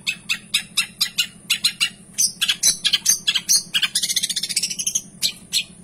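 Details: Long-tailed shrike in full voice with rich filler: a rapid train of sharp ticking chirps speeding up into a dense chattering trill of high scratchy notes, constant low hum behind.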